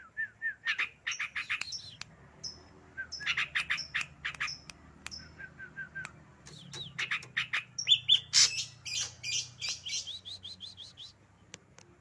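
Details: Ashy drongo singing energetically, a lively mix of downslurred whistles, dense rapid chattering, and harsh rasping notes delivered in fast bursts, with a few brief high whistles between phrases.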